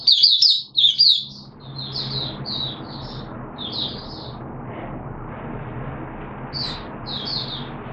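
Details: Caged oriental white-eye on the second day of a monthly deworming treatment, 13 September 2022, gives a burst of twittering high notes followed by softer, spaced chirps fading into a humming background.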